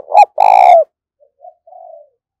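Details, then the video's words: Urging coos of a decoy spotted dove luring other doves: the end of a loud phrase, a short note and a long rich coo, then a few soft, fading murmured coos. "Tiếng Chim Cu Gáy Thúc Và Gáy Gọi Sung, Dùng Kích Bổi Rất Hiệu Quả"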